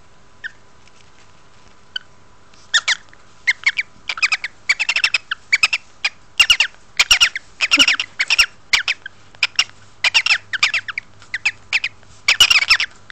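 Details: Cockatiel; call; asking to be stroked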